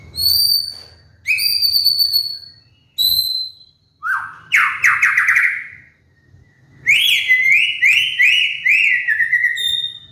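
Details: White-rumped shama singing a lure song for moulting cage birds: high pure whistles, a loud buzzy rising rattle, then a rhythmic chain of bright downslurred notes with ringing overtones.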